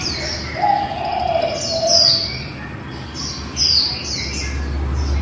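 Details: Singing female white-eye, líu style, meant to prompt other white-eyes to sing: a low drawn whistle first, then high falling notes in two clusters, with steady low hum throughout.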